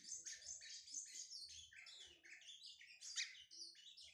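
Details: Lined Seedeater, brown (pardo) plumage, warming up with a nonstop stream of high, jumbled twittering and buzzy chirps, one sharp peak note midway.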